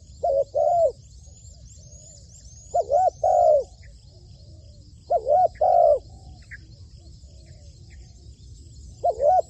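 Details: Spotted dove kept as a trained decoy, delivering spaced low cooing phrases of short then longer hollow notes, four phrases separated by pauses, with thin high chirps of other birds in the background.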